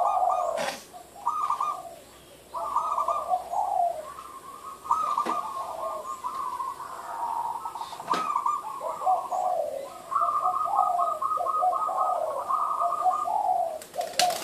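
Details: Zebra dove uttering repeated bursts of fast, stuttered cooing notes separated by brief pauses over about fourteen seconds, with occasional sharp clicks or knocks in the background.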